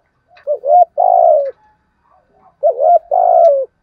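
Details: Two clear, low coo phrases from a decoy spotted dove used to attract wild doves, each a wavering opening note followed by a long steady coo that falls at the end.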